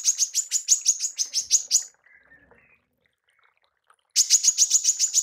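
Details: Female manggar tembakan, used for training songbirds: quick repeated piercing chips for about two seconds, near silence with faint quiet notes, then the rapid chipping starts again.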